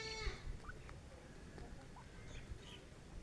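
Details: A pair of partridges (francolins) calls: one harsh, rich call at the start, then a few faint chirps over a steady rumble of low background noise.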